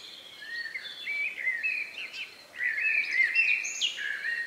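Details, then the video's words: Evening countryside bird, singing just before dark on 2 May 2020 near 9 p.m., recorded outdoors in stereo: quick, chattering warbled phrases in two bursts, rising and falling, over a quiet rural background. "relax sound of bird in the evening"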